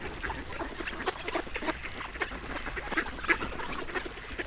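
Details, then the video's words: A duck feeding, giving a rapid, irregular run of short, harsh, clipped bursts about three per second, with a steady low background rumble. "YEMLENEN ÖRDEK SESİ 1 - SOUNDS OF A DUCK FEEDING"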